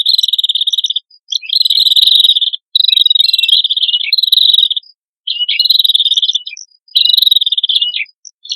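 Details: Red-headed prinias, male and female, in a lure recording: buzzy, rapidly pulsed high trills lasting about a second each, separated by short gaps, with faint higher overtones.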